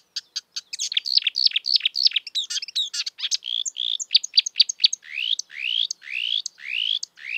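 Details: Marsh warbler in natural surroundings pouring out fast varied chirps and trills, then a series of upward-sweeping whistles repeated roughly every half second.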